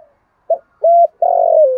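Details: Spotted dove decoy cooing in the Vietnamese deep 'thổ' voice to provoke wild doves into fighting and lure them to the trap. A short note, a flat hooting coo, then a long rough note sliding downward.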